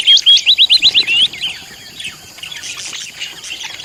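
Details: Budgie calling in a rapid burst of seven or eight looping, whistled chirps within about a second, then quieter flock chatter continues behind.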